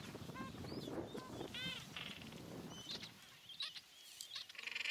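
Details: Gentoo penguin colony, Carcass Island, Falkland Islands, 21 January 2019: a few harmonic braying calls in the first two seconds, then quieter scattered higher calls over wind noise.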